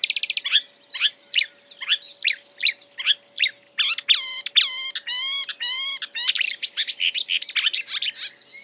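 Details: Marsh warbler singing while imitating other birds: a fast, varied stream of short chirps, trills and rising-falling whistled phrases that keep switching style, with a steady faint low hum underneath.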